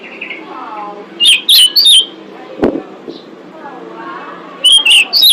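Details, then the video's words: Female pied bushchat giving calls to attract males, used as a bird lure. Two bursts of quick, sharp whistled notes separated by a gap. A single loud click lands in between, over soft background chatter. "Suara Decu Betina Pemikat Jantan"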